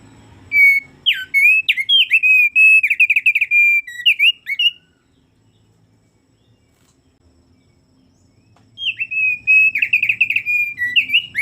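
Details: Thick-billed heleia in full, lively song: loud bursts of rapid whistled, warbling notes with sharp up-and-down slurs, delivered as a long rattling phrase, then about four seconds of silence before a second similar outburst starts.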